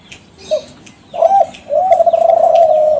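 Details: Caged Kelantan spotted dove of a contest-winning line, used as a lure call. A brief soft note and a short coo lead into a long, gently rippling coo.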